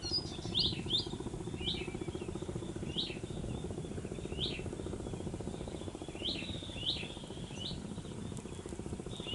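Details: On Aceh's east coast by the mangroves in Sumatra, Indonesia, shorebirds give irregular high, down-slurred chip calls, sometimes in quick pairs, scattered through a constant low hum of surf or wind.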